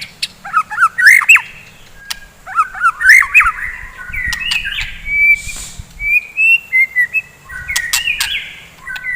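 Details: Morning song of a white-rumped shama meant to stir fighter birds: looping rising whistles, buzzy bursts and clear sustained notes, with short pauses between rich phrases.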